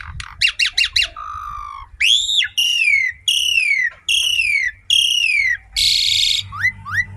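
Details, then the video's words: Javan pied starling singing very actively: a fast burst of four ringing notes, then a string of loud, clear whistles that slide downward, a harsh rasping note, and two short rising whistles at the end. "Jalak suren segacor ini"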